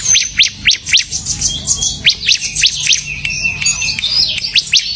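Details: Bar-winged prinia singing semi-gacor, loud clipped high chirps repeated in rapid bursts with brief pauses, mixed with thinner whistled notes between them.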